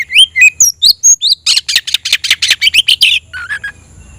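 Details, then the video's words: Kacer, the oriental magpie-robin, in full song with tail open, roused to challenge a rival: opening clear whistled notes, then a fast run of buzzy repeated bursts fading into softer chirps. "kicau burung KACER‼️gacor buka ekor dongkrak emosi panggil lawan tarung"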